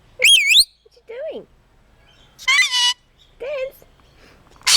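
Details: Pet red-collared lorikeet imitating human words and a cat's meow: bright, warbling, voice-like phrases with rising and falling pitch, four short bursts separated by pauses, ending in a sharp noisy burst.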